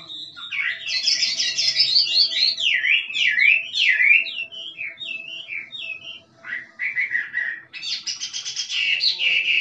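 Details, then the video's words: A wild Chinese hwamei, stimulated to sing, pours out a loud, rich song of fast, rising and falling whistled slurs, pausing briefly before ending in bright, buzzy warbles. "Chim họa mi rừng kích trống hót cực đỉnh nghe đã tai"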